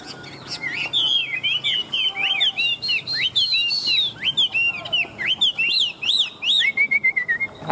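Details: {'caption': 'Chinese hwamei, an old wild-caught fighting bird praised for strong singing: a loud, fast run of varied whistled notes with swooping slurs and high chips, ending in a short level trill.'}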